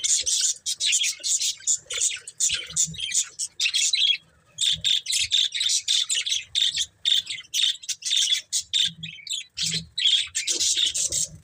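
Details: Breeding pair of budgerigars chattering almost without break, rapid scratchy chirps and squawky notes packed closely together, one short pause partway through.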